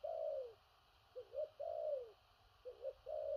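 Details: Spotted dove cooing in the "thổ rặc" manner. Long falling coos alternate with pairs of short rising notes, giving a rolling repeated pattern over a steady low hiss.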